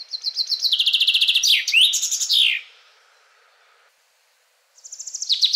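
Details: Singing male Common Chaffinch, one of eleven sampled males: a rapid twittering series stepping down in pitch ends in a loud, clear terminal flourish; after a pause a new high trill begins.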